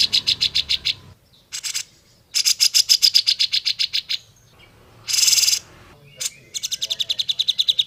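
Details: Grey-cheeked bulbul, a clear natural recording used as a tutor for other grey-cheeked bulbuls: bursts of rapid, even chattering notes separated by pauses, with one harsh, buzzy blast in the middle.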